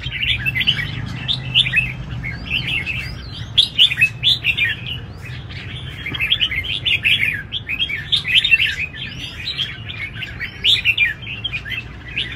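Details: Several red-whiskered bulbuls sing together at a big singing contest, a dense, continuous stream of quick chirpy whistled warbles and slurred upward notes, overlapping without pause.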